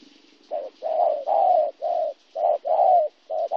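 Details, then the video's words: Local wild-caught spotted dove in Kon Tum, Vietnam, 26 January 2016; muffled low coos in two groups, short note then longer drawn notes, a faint low hum beneath. "cu gay"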